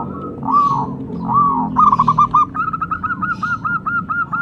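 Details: Local zebra dove calling, offered for luring and prompting song. Soft drawn coos lead into a long, even run of about fourteen quick, hooked notes, with a faint low rumble underneath.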